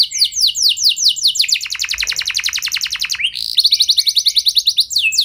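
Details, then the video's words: Canary in full song, played to stimulate other canaries into long rolls: descending whistles give way to a fast trill dropping lower in pitch, a brief break, then a rapid high rolling trill and sweeps. "Ampuh Buat Merangsang Emosi Burung Kenari Lain Biar Gacor Ikut Ngeroll Panjang"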